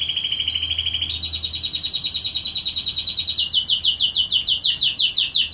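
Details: Female European goldfinch begging food from a canary: a steady high buzzy trill for the first seconds, then a rapid run of short, sharp, repeated chirps sweeping upward, about three per second, loud and close.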